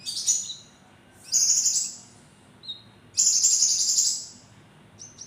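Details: Javan kingfisher calling sharply and vigorously: three loud, harsh, high buzzy bursts about a second long, separated by pauses, with a brief thin whistle between them.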